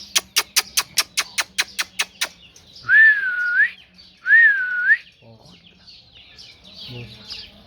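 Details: A parrot gives a fast series of about ten sharp clicks, then two loud, clear whistled phrases that dip and rise again, followed by softer chatter.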